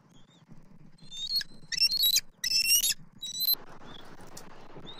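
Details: Bald eagles at a nest on January 21, 2024, as both parents tandem feed their eaglet with a freshly delivered fish: loud, high, piping chatter in four rapid bursts of stacked notes, followed by steady rushing noise.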